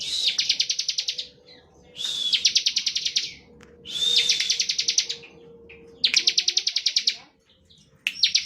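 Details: Fast-pulsed chirping song of a Bar-winged prinia in 'ngebren' style, intended to prompt other prinias to sing; about five bursts of rapid high notes, each opened by a thin whistle, over a soft steady hum.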